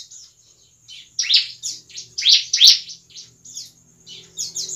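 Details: Bar-winged prinia singing at night: high, harsh, buzzy chirps in quick bursts of about three notes per second, with short pauses between phrases.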